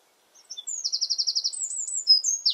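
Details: Eurasian wren singing in a garden: a loud, high, rapid run of repeated trilled notes followed by sharp whistled and buzzy phrases, very clean with no other sounds.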